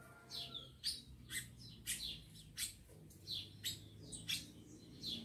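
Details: Rufous-collared sparrows in captivity, aggressive males housed with females, giving a steady series of high, clipped chip notes with downslurred tails, roughly every half second, over low background hum.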